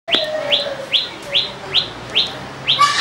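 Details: Common tailorbird, a resident of a house garden in Petaling Jaya, Selangor, on 1 July 2010, gives loud, sharp upslurred chirps, about seven in three seconds at an even pace, with faint notes from another bird behind.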